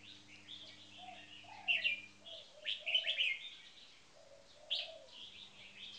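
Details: Caged red-whiskered bulbuls, one bird new to its cage, in marathon frequency singing: bright, quick warbled phrases in bursts near two, three and five seconds, with soft low cooing notes and a steady low hum underneath.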